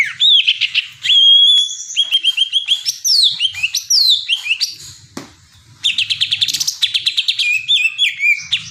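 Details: Greater green leafbird song of long held whistles, swooping slurs and chattering notes, broken by a short pause and a click, then resuming with a rapid high trill.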